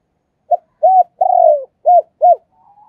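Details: Captive decoy spotted dove, a kept ornamental bird, calling: a short hoot, two rounded coos, then a longer burred rolling coo, followed by two clipped falling notes and a faint thin tone at the end. No other sounds.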